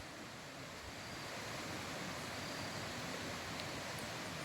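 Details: Quiet outdoor hiss and low rumble ending in a sharp click, with no animal sound.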